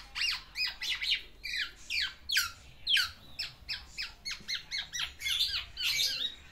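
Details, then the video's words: Black-naped oriole courting a female, giving a steady series of quick downward-sweeping notes, roughly two per second, with some background hiss. "BURUNG KEPODANG GACOR MENGELUARKAN ISIANNYA UNTUK MERAYU BETINA"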